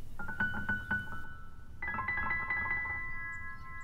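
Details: Soft keyboard or piano notes play a short repeated melody, then shift to a held chord; no animal voices are heard.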